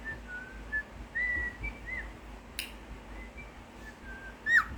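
A cockatiel sings a soft series of clear whistled notes, ending in a brighter rising-and-falling whistle.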